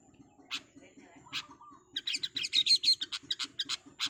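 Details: A long-tailed shrike gives two rasping notes, then breaks into a rapid, dense chatter of high squeaky chirps, around three per second. A soft trill and a pulsing low hum are also present.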